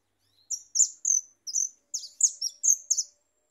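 A European goldfinch sings a quick run of high, tinkling twitters, about three notes a second, each bright and slightly buzzy, with no other sounds.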